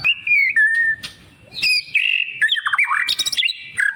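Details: Daily white-rumped shama song: drawn-out level whistles, then a tumbling series of quick descending notes and high buzzy figures, the phrases clear and loud with short gaps.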